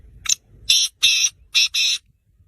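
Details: A six-month-old black francolin utters one full call: a short opening note, then four loud, harsh, buzzy grating notes in quick succession, with quiet surroundings.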